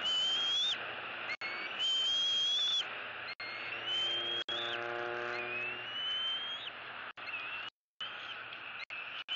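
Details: Excited bald eagle fledgling in Southwest Florida, March 16, 2018, vocalizing at its mother after the father delivers a celebratory fish; long, thin, high squealing whistles, several gently rising or sliding, about every two seconds against constant hiss.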